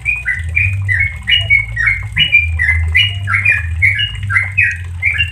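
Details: Yellow-vented bulbul delivering continuous 'ropel santai' song for training caged birds: dense run of short, sweet whistled phrases, each dipping or rising, packed closely together, with low humming noise beneath.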